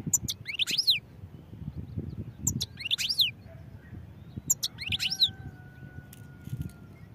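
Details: European goldfinch giving three similar high twittering phrases, each a cluster of sharp ticks and a quick rising-falling slur, roughly every two seconds, with a faint steady tone in the background.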